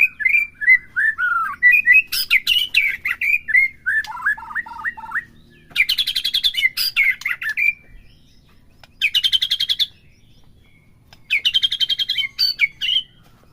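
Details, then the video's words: Captive-bird provoking song of a white-rumped shama: cascades of descending whistled notes, then repeated bursts of rapid harsh buzzy rattles separated by short pauses. "PERANGSANG EMOSI MURAI BATU AGAR CEPET IKUT BONGKAR,PUTAR PAGI SIANG SIRE"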